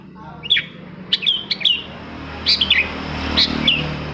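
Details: Long-tailed shrike song used as a lure for reluctant shrikes: scattered short high chirps and downslurred whistled notes in small clusters, with a steady low background hum.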